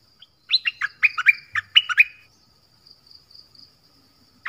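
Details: Nok dok taeng song played to young birds so they learn to copy it, and used against wild birds. A fast phrase of sharp, clear whistled notes, each dropping in pitch, runs about one and a half seconds, then near silence.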